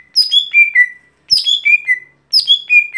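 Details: Lesser green leafbird (gotri) with its daily song: three matching phrases about a second apart, each a cascade of clear whistles stepping downward and ending in a long low note.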